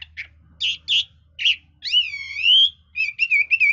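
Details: Hwamei kept by bird fanciers, singing with varied, switching phrases: sharp clipped notes, then one long wavering whistled glide, ending in quick repeated slurred whistles. Quiet background.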